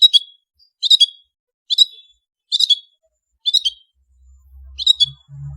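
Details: Long-tailed shrike (Lanius schach) in lively song: short, sharp chirped notes ending in a thin whistled tail, repeated about every 0.9 seconds, with a soft low rumble near the end.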